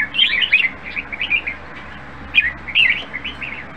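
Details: Red-whiskered bulbul, a caged songbird in good voice, singing two bursts of quick warbled, bubbling phrases that swing up and down, separated by a short pause, over a low steady background hum.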